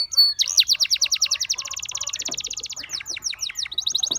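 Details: Gloster canary delivering a long, fast, rattling roll of evenly repeated notes, breaking into descending sweeps and a final quick trill.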